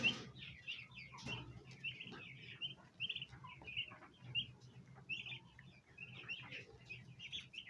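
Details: A group of domestic bronze turkey poults gathers around a basin of ornamental plants, trying to feed. They give high, short chirps in a busy, overlapping stream, with soft low rumbling and a brief flutter of wings.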